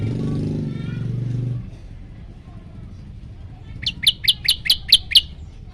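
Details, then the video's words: Yellow-bellied prinia song from a master recording aimed at provoking birds: a man's voice and engine rumble first, then six loud, ringing chirps in quick succession. "masteran burung prenjak lumut bikin emosi burung yang dengar"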